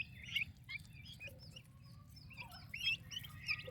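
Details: Turkey chicks with their mother give soft, scattered high peeps, in louder bursts at the start and near the end, over a faint low hum.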